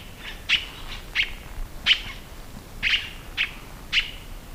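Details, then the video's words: Scarlet-throated Tanager giving loud, abrupt notes with a ringing whistled tail, about one each second, six in sequence, against a quiet background. "CANTO DO PÁSSAROS TIÊ-CABURÉ"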